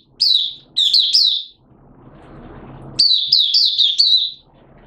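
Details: Malaysian Oriental white-eye, a caged bird in minor moult, 2 April 2023, in buka sing: a quick phrase of thin, high chirps, a hissy gap, then a longer tumbling run of bright twittering notes.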